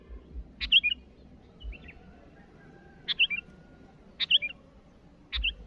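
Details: Sooty-headed bulbul calling rivals, somewhat quieter: four chirpy phrases of a sharp note and short warble at irregular gaps, plus a faint softer call, over low noise.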